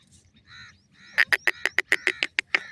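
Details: Francolin pair, Dakhni and Iranian teetar: soft nasal notes building into a fast series of loud, sharp, clipped calls at about six per second.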